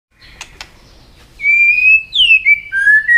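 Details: A fired-up white-rumped shama sings many wild-type voices continuously: clear, pure whistled phrases that slide and step between pitches, opened by two sharp clicks, in a quiet indoor setting.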